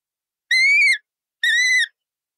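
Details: Colourful parrot uttering two steady, nasal, harmonically rich calls, each about half a second, gently rising and then dropping at the end, separated by a short pause.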